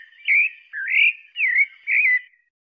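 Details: Pale-breasted thrush song of four mellow whistled phrases, some rising, some dipping and twisting, delivered steadily with short pauses between them against a silent background.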